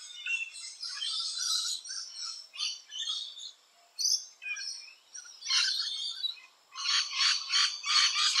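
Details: Rainbow lorikeets busy at nesting holes, calling in loud grating screeches and chatter, ending with a fast pulsed run of harsh notes, about three bursts per second.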